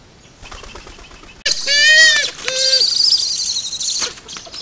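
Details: Eurasian eagle-owl (Bubo bubo) by the Caia river, Alentejo, Portugal, September 2016, an unexpected visitor not usually found nearby, giving two harsh, nasal, flat-pitched calls about a second each over constant hiss.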